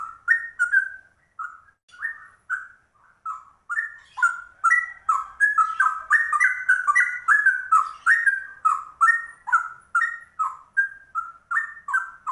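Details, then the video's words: Yellow-vented bulbul (trucuk), described as rare, giving a cucak rowo-style ropel: a long run of bright, liquid whistled phrases, each swooping up or down, accelerating into a dense burst in the middle before easing into evenly spaced slurs. "Trucuk langka ropelannya cucak rowo"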